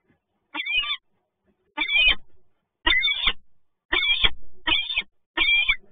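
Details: Peregrine falcons at the PGE Toruń site on 2 January 2021, two birds meeting: six harsh, wailing calls, each under half a second, come in uneven bursts roughly once a second, with quiet gaps between them.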